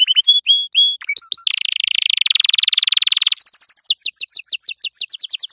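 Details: Yellow canary song played for young canaries to learn from: a few clear ringing whistles, a sharp chip, a sustained rapid buzzing roll, then a run of higher, sharp repeated notes that step down in pitch.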